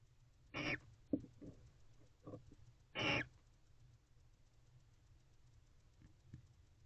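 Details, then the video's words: At 3:27 am on 3 October 2023 in a nest box, a mated male barn owl calls fervently before his female joins him: two harsh, hissing screeches about two and a half seconds apart, with soft knocks and scuffles between. "Female Barn Owl Joins Males After His Fervent Calls to Her."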